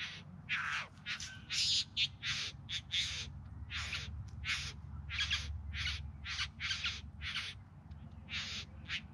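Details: Harsh, hissing bowerbird churrs during a courtship display, Yarra Valley outside Melbourne, September: rapid series of grating broadband bursts, roughly two per second, over a loud low rumble of background noise.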